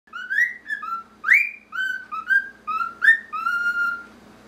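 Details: Male normal grey cockatiel, a pet, whistling Pop Goes the Weasel to another male cockatiel: a string of clear rising and level whistled notes forming a bouncy melody, with brief gaps between phrases and a faint low hum.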